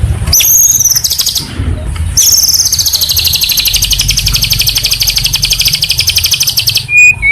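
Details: White-rumped shama (murai batu) master recording for training caged birds: a short high whistled phrase, a pause, then a fast buzzy trill repeated about four times a second for several seconds, ending in a brief lower whistle over a low background rumble.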